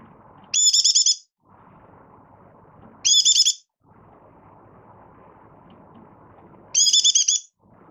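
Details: Malaysian Oriental white-eye, a caged hobby bird beginning to sing, out of form but building form during a light moult, recorded 24 August 2023: three short bright twittering bursts with stacked tones, separated by steady low background hum.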